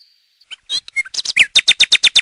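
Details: Nightingale singing close up: scattered chips and a brief whistle give way to a loud, accelerating rattle of sharp, evenly spaced notes, about eight per second.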